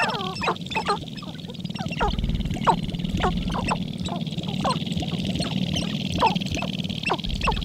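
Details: About eight male Sharp-tailed Grouse display on a lek for three or four females just before sunrise in April, Carlton County, northern Minnesota: quick clucks and sharp squeaky notes every half second over a low murmur, with a man speaking.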